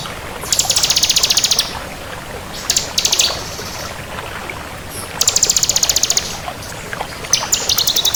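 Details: Bar-winged prinia of the crystal variety singing actively: repeated rapid, high, buzzy trills a second or so long, broken by short sharp notes, over a steady trickling, water-like hiss.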